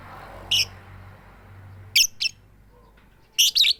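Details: Calling to the male, a female lovebird gives brief piercing chirps, singly and then in close pairs, with quiet gaps between, over faint low hum.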